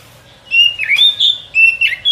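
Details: White-rumped shama song used as a lure for trapping in the forest: clear whistled notes around mid-high pitch, a slurred downward phrase, a short sharp burst, then more sustained whistles with a dipping twist at the end.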